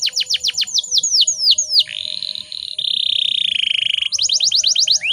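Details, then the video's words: A female canary, in breeding condition, whose voice is meant to goad males into song: quick falling chirps slow down into a sustained rattling roll, then break into a rapid repeated burst of notes. "PANCINGAN KENARI BAHAN AGAR CEPAT BUNYI"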